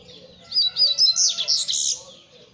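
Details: A double-collared seedeater sings a short, loud phrase: three or four clear whistled slurs followed by a rich, buzzy, high-pitched warble, all within about one and a half seconds.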